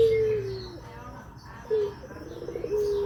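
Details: A Barbary dove coos as a lure meant to prompt other doves to call. Long, low, steady hums are broken by a short accented note, with faint twittering behind.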